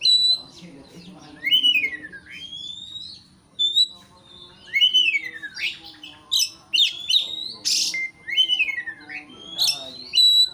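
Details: White-rumped shama song aimed at making an opponent sing aggressively; repeated down-slurred whistles that rise again, interspersed with crisp chips and buzzy notes over about ten seconds.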